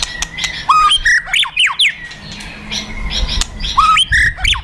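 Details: Fighter white-rumped shama, used to provoke other birds to fight: loud whistles slurring up and down, with harsh crackling bursts and short buzzy notes, and low background rumble.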